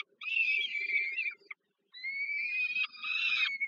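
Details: Peregrine falcon chicks at a Warsaw nest site, Żerań, Poland, begging as the mother feeds them at dinner on 15 July 2022; two harsh, wheezy, slightly rising screeches, the second longer and broken near its end.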